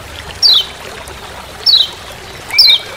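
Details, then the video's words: Lombok lemon-bellied white-eye giving "ciak ciak" calls in forest: three sharp, high, falling chips about one second apart, with a soft water-like trickle. "Masteran Kecial Kuning Ciak Ciak Di HUTAN"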